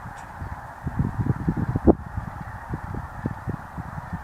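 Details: Snow Geese at Freezout Lake, Montana, a migration staging area holding up to 300,000 birds, honking and yelping in a dense flock with short overlapping notes densest midway, over steady blowing wind.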